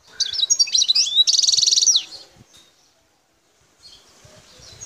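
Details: European goldfinch, a wild Algerian bird from Bouthelja in El Tarf, gives a lively phrase of twisting, tinkling notes and a quick buzzy trill ending in a falling slur, followed by near silence and faint distant chirps.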